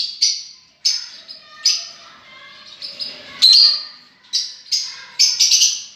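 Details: Lovebirds give shrill, high chirps in short bursts roughly every second, some notes drawn out and scratchy, with quieter chatter between them.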